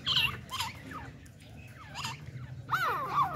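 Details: Partridge pair and a female decoy in breeding excitement give harsh, looping, chattering calls in three quick bursts, mid to high in pitch, over a steady low background hum.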